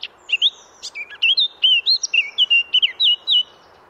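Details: Wild Eurasian blackcap recorded in a garden in Oise, France, pouring out a rapid, varied warble of clear fluting whistles and short chattering notes, rich and jumbled.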